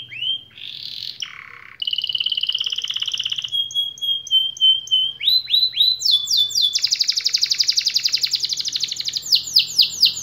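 A canary sings a long, varied song of bright whistles, rapid trills and fast rolling phrases, switching pattern every second or two.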